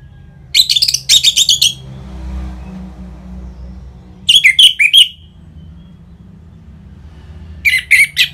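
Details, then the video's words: Orange-headed thrush singing ngeplong to provoke caged birds into song: three short clusters of fast, ringing whistled notes separated by quiet pauses of two to three seconds, with a faint hum between them. "ANIS MERAH Ngeplong Mantap Pancingan Burung Langsung Nyaut Gacor"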